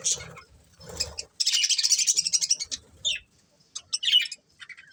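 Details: Budgerigar breeding pair chirping: a dense run of rapid, scratchy high chatter after a quieter start, then scattered short sharp chirps with brief gaps.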